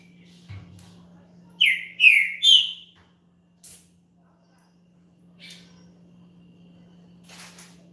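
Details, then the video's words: Green-winged saltator, a champion singer, whose song is used to warm up other saltators: a short phrase of three loud, slurred, downward whistles, then a lone brief note and quiet background with a steady low hum. "ESQUENTE SEU TRINCA FERRO RÁPIDO NO CANTO DE UM CAMPEÃO"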